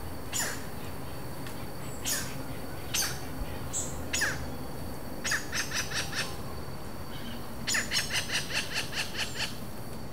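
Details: A pair of wild Robust Woodpeckers interacting at Vargem Grande Paulista, São Paulo, Brazil, in April, recorded on a Zoom H4n without playback: sharp, harsh single notes spaced about a second apart, then two rapid bursts of repeated clipped notes.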